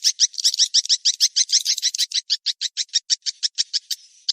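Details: Swiftlet lure sound of the 'kejar kawin' style, meant to call birds in: a dense, fast series of high, shrill chirps, evenly spaced and slowing slightly toward the end, with no other sounds.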